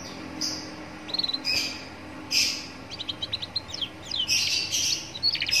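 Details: Young Atlantic canary singing by a roadside to prompt other canaries to answer: bright high twittering with rapid repeated trills and dense bursts of chirps, loud over a quiet low background.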